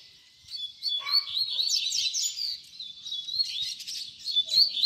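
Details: Double-collared seedeater giving a baderna song used for teaching young birds to sing: a dense, high-pitched stream of quick chirps, trills and slurred notes that starts after a short silence, with a lower whistled note near the start.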